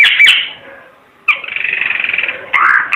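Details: A Timor red-eyed bird gives a harsh squeaky note, a pause, then a rapid buzzy rattling trill followed by another scratchy squawk.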